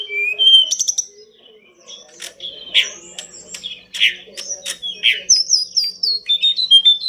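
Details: Energetic pied bush chat master song for training pet birds. A mixed stream of sharp chirps, clicks and whistles, ending in a quick series of bright descending whistled notes repeated about four times a second.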